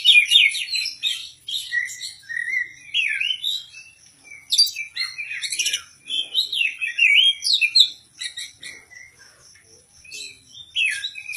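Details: Oriental magpie-robin (Poci/Kacer) ready for a singing contest, performing ngobra without the puffed-up posture. Energetic bursts of chattering, sliding whistles and buzzy trills come in waves, some phrases repeated, with brief quieter gaps.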